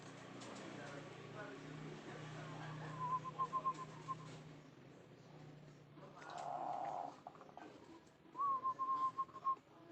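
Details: Zebra dove giving two short bursts of rapid, evenly spaced soft cooing notes a few seconds apart, over a steady low indoor hum with a brief voice-like sound between them.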